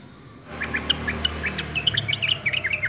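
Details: After half a second of quiet, a yellow-vented bulbul breaks into rapid high chirps, quick bright notes tumbling one after another, with a faint low hum underneath.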